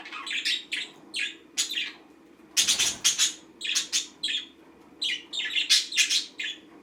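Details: A green pet budgie goes about its daily routine, chattering in quick bursts of sharp, bright chirps and clicks grouped in clusters, with brief pauses between groups and a soft background hum.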